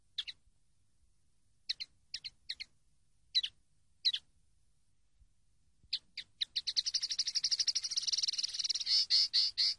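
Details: Common linnet song from a training recording: scattered crisp high chirps in small groups, then a fast run of rapid repeated notes building into a continuous twittering trill near the end.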